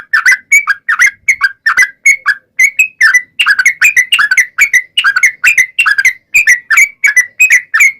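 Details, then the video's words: Bulbul (yellow-vented) singing gacor, in the long ropel panjang style used as a lure for other bulbuls. An unbroken run of bubbly, slightly rising and falling notes, roughly three to four per second, throughout. "SUARA trucukan gacor ROPEL PANJANG pancingan trucukan agar bunyi"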